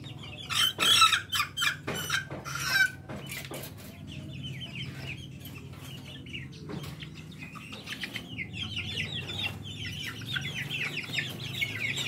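A young chick gives rapid, high, chirping peeps in quick bursts over a low steady hum.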